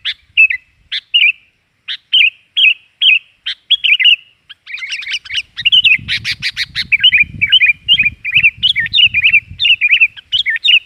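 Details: Lively, noisy Sooty-headed bulbul lure sound, played to attract birds: spaced, slurred chirps repeated about every half second, then a dense chattering stretch with low rumbling noise underneath from the middle onward.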